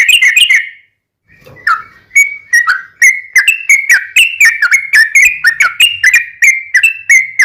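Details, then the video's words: Trucukan or yellow-vented bulbul in lively ropel panjang song, played as a lure so captive birds sing back; brief opening notes, a pause with a soft low thud, then a steady stream of bright warbled whistles. "SUARA trucukan gacor ROPEL PANJANG pancingan trucukan agar bunyi"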